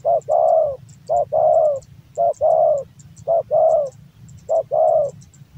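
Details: Male spotted dove kept as a songbird in Java giving steady phrases, each a brief low coo then a longer falling one, four phrases in regular rhythm about every 1.2 seconds, soft clicks behind.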